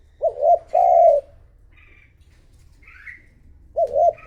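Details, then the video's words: Spotted dove kept as a decoy, urged to coo to call in wild doves: a wavering two-part coo, then a long steady coo, and another wavering coo after a pause, with faint high chirps from another bird between. "Cu gáy mồi thúc gù gọi bổi , kích cu gáy gù gáy"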